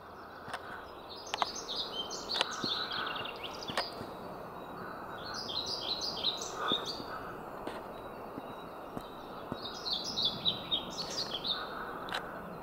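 A pied flycatcher sings short, bright phrases of high, sweet notes, repeated every few seconds.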